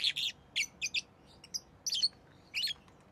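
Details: Rosy-faced lovebird, pet bird, giving short sharp high chirps in quick bursts, some doubled, with brief pauses between, over faint background hum.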